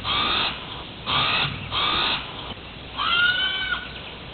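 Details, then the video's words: Hawaiian crow, now extinct in the wild, calling with three short harsh caws at even intervals, then a longer, more tonal, level wailing call with clear harmonics. "Hawaiian Crow (Corvus hawaiiensis) Call"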